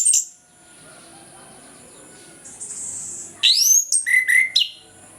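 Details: Orange-headed thrush in ngeplong style on a morning recording used to coax birds stuck after moult to sing: a bright note, quiet pause, then a strong upward-sweeping whistle followed by choppy, rapid phrases at two pitches.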